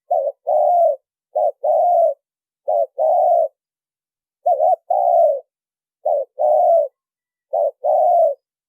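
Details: Spotted dove lure call used to attract birds, free of background noise: clean repeated coos around mid-low pitch, each a short two-part note followed by a longer steady descending coo, pairs repeated roughly every one and a half seconds.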